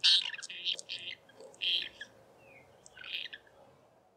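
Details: A pair of White-rumped Swifts calling at dusk from a taken-over Lesser Striped Swallow nest where they roost and breed each summer: high, buzzy, chattering twitters in three or four quick bursts, with a thin slurred note between them.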